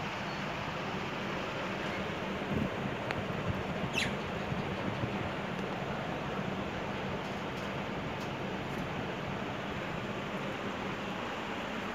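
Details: Steady broadband hiss with a faint low rumble and one brief high tick, but no clear animal voice.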